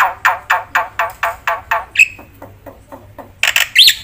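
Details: Jalak putih, the black-winged myna, in lively song for luring and tutoring quiet birds: a steady train of coarse buzzy notes about four per second, a brief whistle, soft ticks, then a burst of harsh scratchy chatter.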